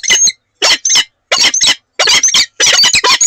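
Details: Loud, rasping, grating calls from a Peregrine falcon pair at Oudenaarde during a morning conversation on 7 March 2020. The calls come in chattering clusters of two to three notes, separated by brief silences.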